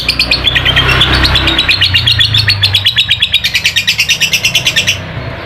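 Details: Ngekek singing of a lovebird, used to coax a lazy bird into song: a long unbroken stream of rapid, high chattering notes repeated several times a second for about five seconds, with a low background hum.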